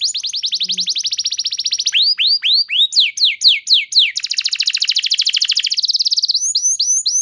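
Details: Canary lure song to set other canaries singing: long fast high trill, a run of drooping looped whistles, then another extended rapid trill and short upslurs.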